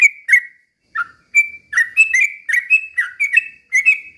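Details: Yellow-vented bulbul singing a slow rapid-fire song, used as a lure to stir other bulbuls into agitated singing; short slurred whistled notes, some rising and some falling, in quick uneven bursts with brief pauses.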